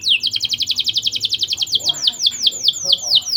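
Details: Lure song from a vigorous canary meant to boost young canaries' breeding drive: fast burst of sharp descending chirps that slows into widely spaced, bright downward-slurred whistles.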